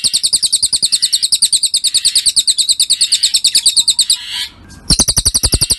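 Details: Cililin masteran recording made for training songbirds: a fast, even series of high, sharp double-noted chirps, about three a second, broken by one short pause before the chirping resumes.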